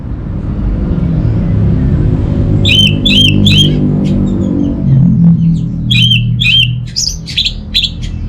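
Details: Orange-headed thrush, a lure for home birds that are reluctant to sing: groups of bright, high, hooked whistled notes come in two bursts of several notes each, with a low droning hum throughout.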